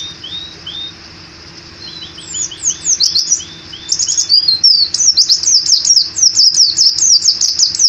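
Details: White-eye in gacor ngalas ngeroll song, singing with open beak: soft, spaced, slurred notes build into a rapid, rolling chain of high, sharp, zigzagging whistles over a low background hum.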